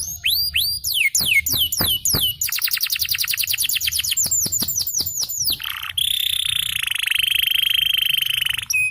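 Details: Yellow canary, a champion singer, gives a fast, varied song: quick sweeping whistles and rapid trills, several notes a second, ending in a long, bright, buzzing held tone.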